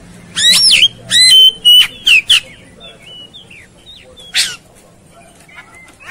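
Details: Fired-up Oriental magpie-robin, agitated as if fighting, opening with loud harsh buzzy bursts and long clear whistles, then a string of softer thin slurred notes, one more rasp near the end, over a faint low hum.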